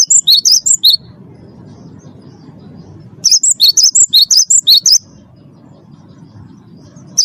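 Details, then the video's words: Vigorously singing champion Cinereous tit, used as lure song for captive birds: a short phrase of quick, sharp, high notes, then a longer run of about a dozen rapid alternating chirps, then a brief start of another, over a low background hum. "gelatik batu wingko gacor juara satu pancing bunyi gacor"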